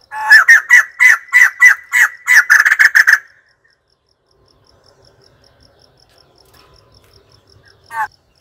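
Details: White-crested laughingthrush calling in a rapid series of about a dozen harsh, raucous laughing bursts that quicken toward the end over three seconds, then near silence with faint ticking and one last short squawk.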